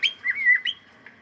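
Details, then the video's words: Playful cockatiel giving a short warbling whistle, a few sliding notes run together and then trailing off. "Cute Cockatiel singing and sound and playing"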